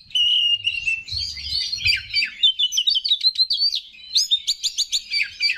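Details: Kept Oriental magpie-robin song for provoking other males: a steady whistle opening into a rapid series of sharp upward-sweeping notes and chips, with low background rumble early on.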